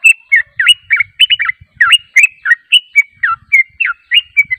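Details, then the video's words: Lure recording of a yellow-vented bulbul: fast chattering phrases of rich, warbled notes that dip and rise, delivered in a steady rapid stream of about four notes a second, with scattered faint low knocks underneath. "PANCINGAN TRUCUK JANGAN Di Ragukan Langsung Nyaut"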